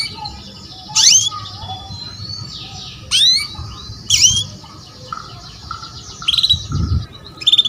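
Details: Female canary luring a male: sharp rising and falling sweeps separated by longer thin rattling trills, a few quieter whistled notes in between and a soft low thump near the end.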